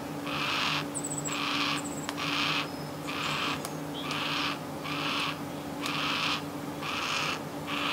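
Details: A young yellow-tailed black cockatoo, seen from a home window, begs parents for food with harsh, wheezy rasps, each about half a second long and repeated roughly once a second, over a steady low hum and a few faint high chirps.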